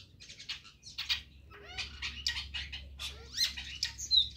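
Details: Chestnut-tailed starlings together in the early morning, giving a run of short, harsh chirps and chatters with a few rising whistled notes, irregularly spaced, over a faint low hum.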